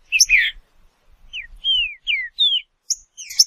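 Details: Green-winged saltator, Saltator similis, from Brazil: a few separate clear whistled notes, falling and slurred, spaced at irregular gaps, with a harsher burst at the start.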